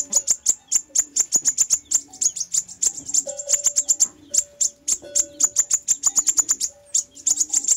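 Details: Sunbird song played as a lure recording: rapid, high, thin chirps and ticks repeated densely throughout, with a few short lower tonal notes between them.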